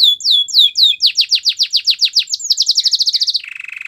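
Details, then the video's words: Belgian canary song opens with slow falling whistles, speeds into a quickening trill of sharp notes, and closes with a low buzzy roll. "Belgian canary song"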